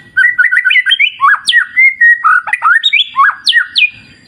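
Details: White-rumped shama (murai batu) singing in a wild clear-river nature setting, used as a therapy recording for keeping the bird: rapid varied whistled phrases, rising and falling slurs delivered about four per second, with sharp upswept notes.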